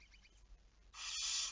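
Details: Barn owl recorded on 11 May 2019 at 23:34, one harsh, hissing screech starting abruptly partway through and running to the end, cut off, over a quiet low hum.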